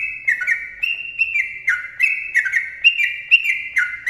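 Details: Long 'ropel' song from a sooty-headed bulbul: loud, rollicking whistled notes that swoop down and bounce up, repeated about twice a second in a close, continuous chain.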